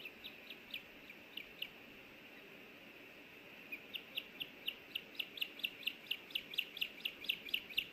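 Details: Nest-cam recording from Hellgate Canyon in Missoula, Montana, 24 May 2024: an osprey calls as its mate delivers a small fish. A few high whistled chirps come first, then a pause, then a fast, insistent run of chirps about twice a second. Faint hiss throughout.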